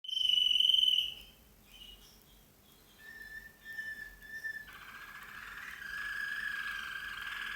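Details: Slavujar canary singing: a loud pure whistled note with clear overtones, a pause, then softer notes shifting into a long steady lower whistle and a rich buzzy sustained phrase.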